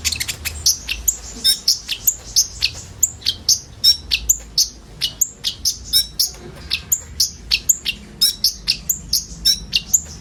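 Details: Many common ioras singing filler song meant to lure sunbirds; quick sharp high chirps and whistled notes pour out several per second, uneven and overlapping, with a faint low hum beneath.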